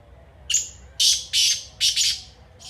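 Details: Harsh rasping call of a black francolin, or kala teetar: a brief high starting note followed by four grating bursts, the fourth doubled, with the next phrase just beginning at the end.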